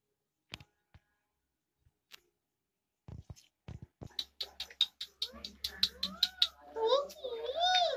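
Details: Pet ring-necked parrot talking in Hindi indoors: sparse clicks at first, then a run of rapid chattering notes and wavering speech-like syllables growing louder toward the end.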